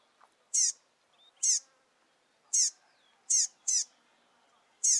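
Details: Recently fledged rusty-collared seedeater chick accompanying its father, giving loud high-pitched harmonic chips roughly every second, sometimes two close together, with near silence between.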